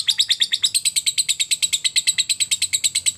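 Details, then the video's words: Lovebird giving a fast chattering trill used to stimulate other lovebirds to sing: high, sharp notes repeated about seven times a second in an even, unbroken stream for over three seconds. "Lovebird ngetik sambung ngekek mantap ‼️, terbukti ampuh merangsang Lovebird cepat bunyi dan ngekek"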